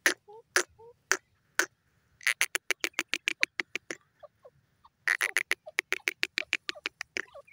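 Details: Grey francolin calling: bursts of sharp, clicking notes in quick rapid runs, with a few short mid-pitched notes between the bursts and brief pauses separating the series.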